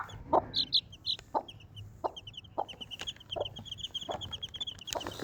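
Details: Desi mother hen with four baby chicks: low, short clucks at roughly one-second intervals under a steady run of high, thin chick peeps, with a few brighter chirps near the start.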